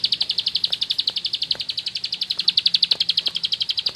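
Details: Bar-winged prinia from rice fields singing in the rapid ngebren style: a long unbroken series of sharp, high chirping notes, about four per second, steady and evenly spaced, with faint clicks in the background.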